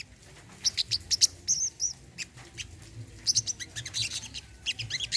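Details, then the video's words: Brown-throated sunbird in a therapy recording for birds that have stopped singing, uttering rapid, thin, high chirps in short runs, a brief gap, then a busier stretch of sharp tweets and twittering. "BURUNG SOGON KOLIBRI KELAPA MACET BUNYI"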